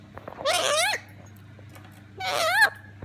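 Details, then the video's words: Meowing imitation by a female black-capped lorikeet: two nasal, wavering calls about a second and a half apart, each bending upward then down, against faint background clicks and a low electrical hum. "Chatterbox , cat with the wings"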